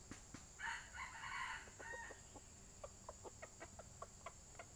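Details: Distant red junglefowl crow used to lure wild junglefowl: a rough, segmented crow of about one and a half seconds, then a run of short clucking notes spaced irregularly, with low background rumble and a constant high insect drone.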